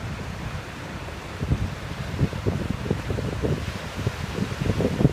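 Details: Wind buffeting the microphone and low surf thumps, with no animal calls.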